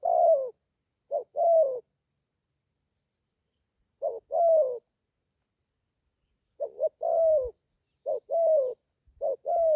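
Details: Young spotted dove just coming into voice, on its first forest training outing in Gia Lai, Vietnam: paired cooing notes, a short coo followed by a longer, slightly falling slurred coo, repeated in bursts with quiet gaps between phrases.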